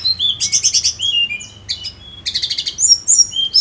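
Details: Sunda Robin song played as a lure: rapid buzzy trilled bursts, high thin whistled notes sliding down, a pause, then more fast trills and bright whistles.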